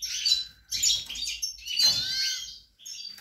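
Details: European goldfinch, a pied bird, in song on 28 March 2020 during nesting, with the female on the nest: rapid liquid twittering and trills with rising whistled slurs in two close phrases, ending in a short chirp. Faint low rumble underneath.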